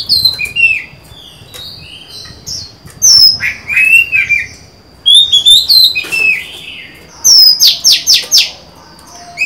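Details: A newly acquired female Oriental magpie-robin, recorded 23 July 2020, sings to lure males into singing: a varied run of clear, sliding whistles and sweet phrases with short buzzy trills, fairly high and continuous.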